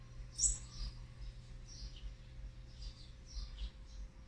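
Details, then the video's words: Olive-backed sunbird nestlings from a fourth brood, on feeding day 18 (8 March 2020), give thin, very high squeaks in short scattered bursts over a steady low hum. "นกกินปลีอกเหลือง รุ่น๔ ป้อนอาหารวันที่๑๘"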